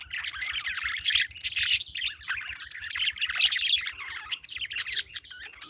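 Parakeets chatter in a dense, continuous stream of high, scratchy chirps and squeaky warbles, several birds overlapping with no pauses, over a faint low hum.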